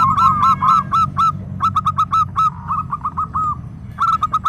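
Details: Local zebra dove singing actively: quick rolling coos on a steady pitch, each note with a slight upward flick, delivered in clipped bursts with brief gaps. Crisp ticking sounds and a low background rumble accompany them.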